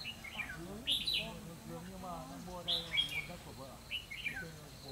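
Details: Decoy red-whiskered bulbul at a trapping session, 12 November 2016: three loud, clear whistled phrases about every one and a half seconds, each with a sharp rising-falling note, with people talking continuously in the background.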